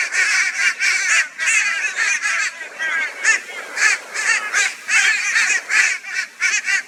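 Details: Loud raucous caws from crows tormenting a barn owl in Brisbane, Australia, 22 February 2022, coming in short harsh bursts roughly twice a second, overlapping from several birds.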